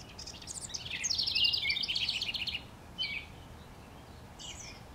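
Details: A house wren singing from a treetop in NW Regina, Saskatchewan, Canada, on May 25, 2015, gives a fast, bubbling cascade of high chattering notes lasting over two seconds, then a couple of brief isolated chips; faint background hiss.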